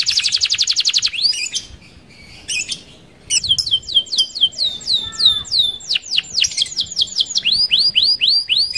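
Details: Canary singing a rolling lure song: a rapid high trill, a short pause, then many hooked, falling whistles delivered in quick runs that vary in pitch.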